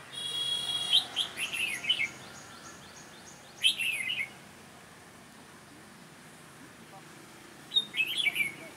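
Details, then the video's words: Sharp-voiced red-whiskered bulbul at a trap delivers loud, rapid warbled phrases, first a long run, then two shorter bursts separated by several seconds of near silence. "Bẫy chào mào Giọng đanh lăng xăng"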